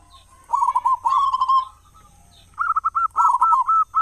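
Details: Local zebra dove, singing keenly with a big voice to coax other doves into song morning and evening; two rapid stuttering coo phrases, the second higher and longer, separated by a second of quiet.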